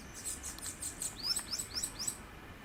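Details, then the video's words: Bananaquit (Coereba flaveola) singing in the wild in Pernambuco, Brazil, its song described as fairly strong, simple and monotonous; a quick series of four thin, high rising slurred notes follows faint hissy chatter. "CAMBACICA CHAMANDO E CANTANDO MUITO NA NATUREZA"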